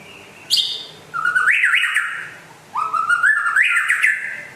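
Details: White-rumped shama from West Aceh, described as rare and a prolific singer, giving two phrases about 1.5 seconds apart. Each opens with a sharp high note and runs into a rising, buzzy, trilled whistle with upward flicks.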